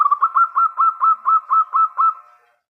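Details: Local zebra dove singing: a quick run of about nine rhythmic, rolling cooed notes, each with a short upward flick, evenly spaced and ending in a fading tail.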